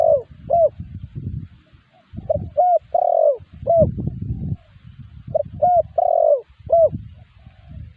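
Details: Spotted dove calling, used as a lure that wild spotted doves answer: repeated coo phrases, short notes, rising coos and long falling coos, about every three seconds, with low rumbling noise between them.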